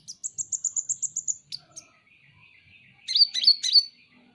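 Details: Van Hasselt's sunbird (kolibri ninja), a popular pet, in a masteran recording: a fast series of about nine high, even ticking notes, a brief pause with a faint thin tone, then several sharp chirps.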